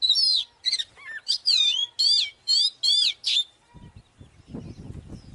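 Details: Oriental magpie-robin singing a fighting song used as a lure to provoke rivals: a run of seven loud, rapid, high whistled and twisting notes, then faint rustling and low thumping at the end.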